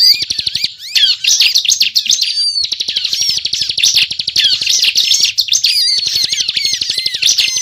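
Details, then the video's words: Bar-winged prinia in lively, nonstop 'ngebren' singing, used as a lure for trapping birds: dense, high, rapid chattering of twittering notes and upswept whistles with fine rattling clicks, briefly broken near the start. "Suara Ciblek Gacor Ngebren"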